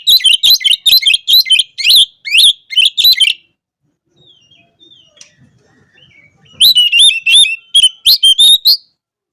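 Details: Oriental magpie-robin calling out opponents in full 'gacor' song: two loud bursts of fast, ringing chirps and trills, each about three seconds long, separated by a quiet gap with faint twitters.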